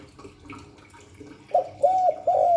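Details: Spotted dove, Hạp Bổi 38 voice style, starting a cooing phrase after soft faint murmurs: three bright arched coos in quick succession, the last one cut off, against light background hiss.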